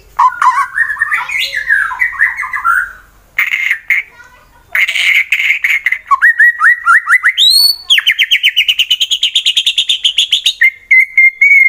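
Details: Fighter white-rumped shama, Wonosobo, Central Java, Indonesia, singing to make rival birds sing: loud varied whistles and harsh phrases, then a long fast trill of repeated notes rising in pitch, closing with a steady whistle.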